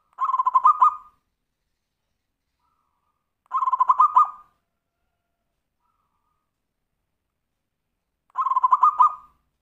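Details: Zebra dove singing in the Tumpang Sari song style, used to prompt other birds to sing: three bursts of rapid pulsed cooing notes, spaced about four seconds apart, over a silent background.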